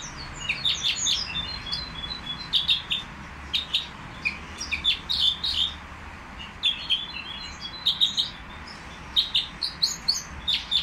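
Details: A Common nightingale at a bird market sings a rich, fast run of sharp chirps, trills and clear whistled notes, in bursts every second or so, over a quiet background.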